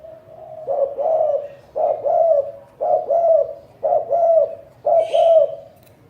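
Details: Spotted dove giving a steady cooing song: five two-part hooting phrases, each about half a second, spaced roughly a second apart in a quiet setting.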